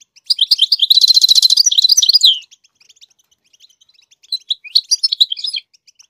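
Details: Goldfinch singing to teach chicks to sing: a loud, fast, buzzy trill of evenly repeated notes that runs into jangling twitters, a short pause, then softer scattered chirps.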